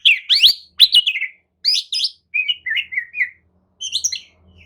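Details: Lure song of an Oriental magpie-robin, used to get dull birds answering: quick twisting whistles and clicks, then lower warbled phrases and a final high rising note, in four short bursts.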